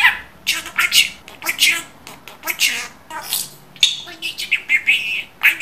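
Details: Pet budgerigar talking as clearly as a human, with rapid, high, raspy word-like bursts in quick succession and brief pauses between phrases, ending in a short squeaky chirp.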